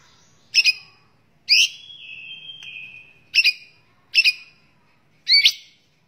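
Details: White-rumped shama, a captive bird used as a training recording for other songbirds, giving loud clipped double notes around mid-high pitch, separated by a long steady whistled tone, five bursts in six seconds.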